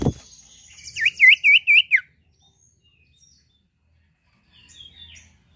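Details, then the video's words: Lively sirtu bird, singing to prompt other birds: a tight burst of four loud wavering notes over two seconds, then near silence with a faint, soft phrase near the end. "sirpu gacor cocok pancing bunyi burung ombyokan"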